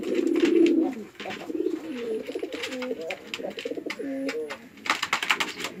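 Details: Fighting male and female pigeons on a Bangladeshi house pigeon farm, Chittagong District: a strong burst of deep coos, then a stretch of broken, wavering low coos mixed with scuffling and clattering noises.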